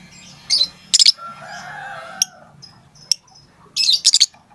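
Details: Lovebird calling to its companions: sharp high chirps in small bursts, a lower drawn-out tone in the middle, then a dense cluster of shrill 'tik' notes.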